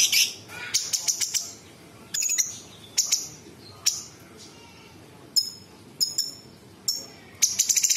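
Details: A cucak cungkok bulbul singing with varied imitations of other birds and insects, giving scattered high, piercing chirps and short clattering trills separated by quiet gaps.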